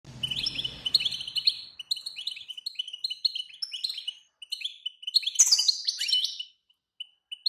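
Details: Female European goldfinch call, played to make a silent male goldfinch sing strongly: rapid, repeated high chirps and short twittering notes, with a brief low rumble at the start and a louder burst of shrill notes near the end.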